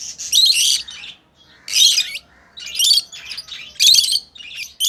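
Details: Tame lovebirds at play produce loud, grating, high-pitched chirp bursts about once a second, each burst harsh and broad, with short silences between.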